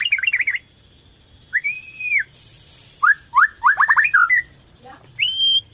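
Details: Borneo white-rumped shama in full song, used to stimulate other shamas to sing: rapid chatter, a long arched whistle, stuttering clusters of downward slurred notes, and a closing clear ringing whistle.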